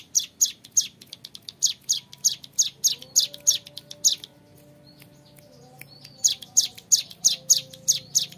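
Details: Young hill prinia, called ciblek gunung, singing a long, clear ngebren song: quick series of high, sharp descending chips, several per second, broken by a pause of about two seconds before the run resumes.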